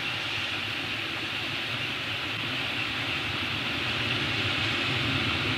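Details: Broad steady hiss like wind or a fan, with no calls.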